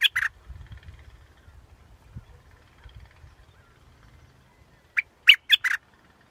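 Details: Short sharp chips of a scarlet-backed flowerpecker: two notes at the start, a quiet gap with low rumble, then a phrase of four quick, bright notes near the end.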